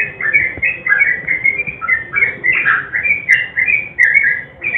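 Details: Lively nguklik-style sooty-headed bulbul song mixed with garuda song, used to make silent birds join in: quick chains of clear, slurred whistles, each phrase dipping then rising, with a few sharp clicks near the end.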